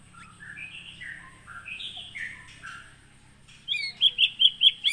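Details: Aceh white-rumped shama from Gunung Leuser, caught in the wild at Aih Ilang (Sungai Merah), Pining, in 2017 and now kept at a farm. A soft, rambling warble gives way to about six loud, ringing, rapidly repeated high notes.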